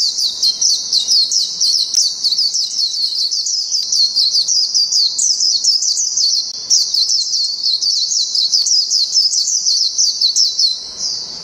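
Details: A white-eye (Zosterops) from Thailand sings a long, unbroken stream of high, rapid twittering notes, bright and scratchy, with brief pauses and no other sounds.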